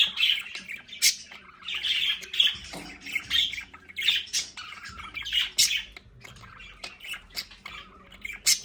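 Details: Budgerigars kept indoors in their play area repeat short raspy squawks and chirps, about two per second, several birds calling over one another.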